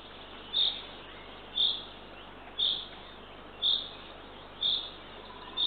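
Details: Eurasian eagle-owl chick, the third owlet, at a nest in Northern Estonia, watched by a nest camera at 6:21 am on 3 June 2023 while the female feeds it. Short high hissy bursts repeat about once a second, six times.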